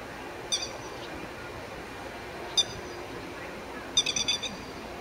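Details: Grey-headed lapwing on 1 May 2012, threatening ducks resting on a rice paddy bank not yet its territory; sharp high notes, single calls then a rapid run of five, over steady outdoor background noise.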